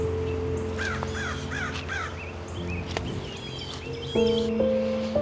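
An American Crow gives four or five harsh, slightly hoarse caws in a loose series, heard over steady background music.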